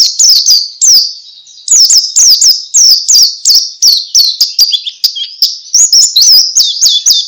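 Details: White-eye ngalas song, played to get other white-eyes singing along; a fast, almost continuous run of very high, piercing, down-slurred chirps and twittering notes with only brief pauses.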